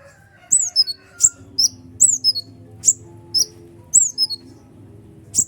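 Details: Agitated kolibri ninja sunbird, used to make other birds sing: piercing downslurred chirps roughly every half second, over soft sustained low tones.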